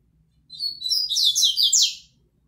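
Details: Double-collared seedeater singing while facing a female; a fast high phrase of sweet whistled and slurred notes, rising into a rapid trilled run before stopping, on a quiet background.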